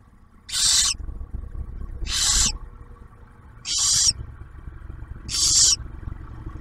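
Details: Nesting barn owls on Ottawa National Wildlife Refuge in Ohio, male bringing food while the female shares it with the owlet; four loud rasping hisses, evenly spaced about every 1.5 seconds, with faint background rumble.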